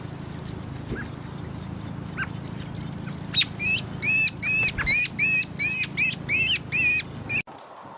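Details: Chicks begging as the mother feeds them, bursting into loud, rapid, sharply repeated chirps, roughly two a second, after a few quieter notes, with steady low hum behind, ending abruptly.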